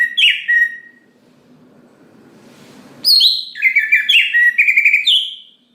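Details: Leafbird song, from a greater green leafbird that provokes others of its kind to sing; a brief whistled phrase, a noisy pause, then a loud rapid cascade of sharp, sliding whistles and chips lasting over two seconds.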